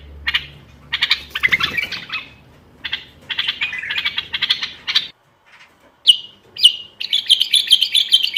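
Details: Bulbul singing, used to encourage silent bulbuls to sing: choppy clusters of rapid notes with a faint low hum beneath, a sudden break, then clearer whistled notes and a bright chattering run.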